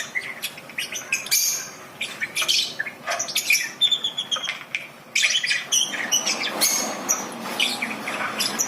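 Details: Lovebird giving ngekek, a chattering trill used to prompt beginner lovebirds to sing. Bursts of harsh, high chatter come in quick succession over a noisy, hissy background.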